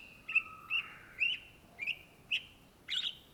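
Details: Greater green leafbird, known in Indonesia as cucak ijo, singing vigorously (gacor): six short, clear whistled notes spaced about half a second apart, each a quick upturned slur, with a thin steady tone in the background.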